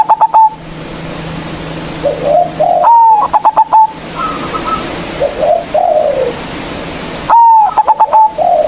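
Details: Local zebra dove with a big voice, a lure to provoke rivals to sing. Loud phrases of a drawn clear note plus rapid stuttered coos repeat three times, with softer wavering coos from other doves in between.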